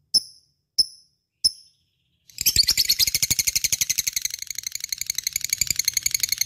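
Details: Lovebird singing gacor, nonstop, as a lure sound for other birds: three sharp, evenly spaced ticking clicks, then a brief gap and a dense burst of fast, shrill chattering that carries on rapidly to the end.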